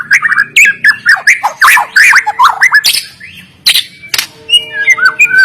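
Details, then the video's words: White-rumped shama, a caged Medan-type bird kept for training lazy singers, delivering loud varied song of rich whistles, slurred notes and harsh bursts in quick succession, with faint steady hum beneath. "MURAI BATU GACOR FIGHTER PENUH GAYA || Cocok untuk melatih mental."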